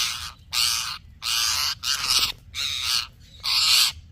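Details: Parrot making loud, harsh broadband squawks, six rough bursts about half a second long, evenly spaced, with brief silence between them.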